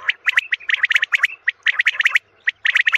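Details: Common quail sound played for morning hunting: quick clusters of sharp chirping notes, several per burst, with short gaps between groups.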